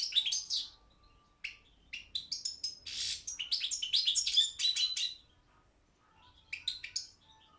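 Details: Balkan goldfinch, Carduelis carduelis balcanica, entered in a goldfinch song world championship: scattered sharp chirps building into a dense twittering run with one harsh buzzy note, then a pause and a short closing phrase.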